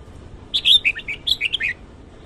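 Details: Red-whiskered bulbul morning song: a lively run of about eight clear whistled notes, bright and slurred, some rising and some falling, lasting just over a second over a quiet background.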